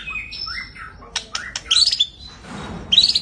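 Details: Kept white-rumped shama song with sliding whistles, short sharp clicks and rich buzzy warbled phrases, broken by brief pauses.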